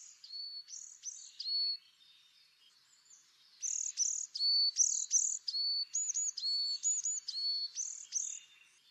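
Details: A tit repeats a two-part motif: a very high clipped note dropping to a lower sustained whistle, over and over in a fast, regular cadence, with faint background hiss.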